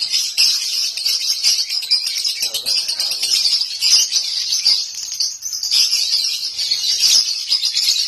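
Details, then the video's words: Home-kept lovebird in nonstop 'konslet' singing: a dense, unbroken stream of high, shrill chattering and squeaky chirps with no pauses, steady throughout, with a few sharper accents standing out. "Lovebird konslet rumahan bikin heboh!!"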